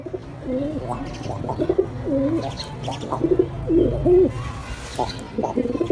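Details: A pet male domestic pigeon, just paired with a new female, gives deep, throaty, rolling coos, repeated in quick bursts every second or so, over a low background rumble.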